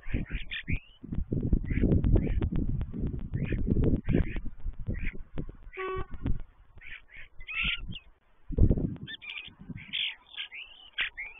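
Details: Common starlings at an unoccupied stork nest, calling in scattered harsh, scratchy notes and brief whistled slurs between gusts of loud, low wind noise that fade toward the end.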